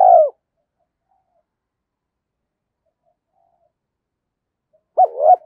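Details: Spotted dove lure coo, 2023: one hoarse descending coo at the start, long silence, then a doubled wavering coo near the end.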